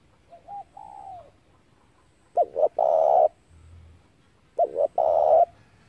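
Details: Spotted dove lure call for trapping doves: a soft, faint drawn-out coo first, then two loud phrases of quick hooked notes ending in a long buzzy coo.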